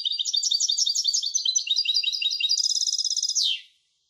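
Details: Song of a European goldfinch hybrid: rapid, evenly repeated twittering notes. These tighten into a fast bright trill and end in one downward slurred note. No other sounds.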